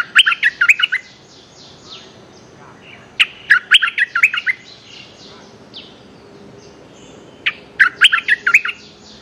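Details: Streak-eared bulbul calling a mate in four lively phrases of rapid, bouncing chirps, each about a second long and spaced a few seconds apart, with soft high bird notes in the gaps.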